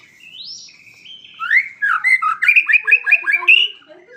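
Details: Song of a white-rumped shama: soft rising whistles building into a quick series of about ten rhythmic chirping notes, ending with low soft warbles.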